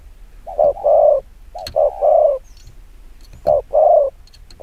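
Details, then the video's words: Fast 'gù kích bổi' cooing from a spotted dove, with soft low coo pairs, a clipped first note and a drawn-out second, and small clicks and ticks between the phrases. "Tiếng chim quân tử chiêu gù kích bổi cực nhanh"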